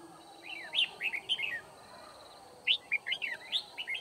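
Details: Red-whiskered bulbul used as a decoy bird during trapping in Kim Bôi, Vietnam, on 9 February 2019, singing to challenge rivals. Two bursts of quick warbled, up-and-down whistled phrases are separated by a short pause.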